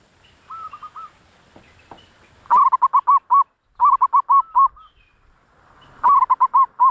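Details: Zebra dove cooing, used to attract wild doves: loud bursts of rapid, staccato rolling coos in runs of six to eight notes, with softer cooing phrases between them.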